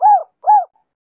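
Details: Spotted dove song in the Giọng Kim 2 hậu style, played as a lure to draw wild doves and stir decoy birds: two short, arched, hollow coos in quick succession, then silence.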